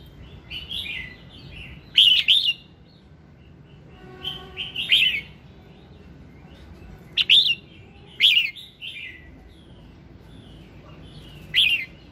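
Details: Red-whiskered bulbul morning song intended to prompt singing: repeated bursts of cheerful warbled whistles, five or six phrases spread over twelve seconds with quiet gaps between them; a faint low tonal hum partway through.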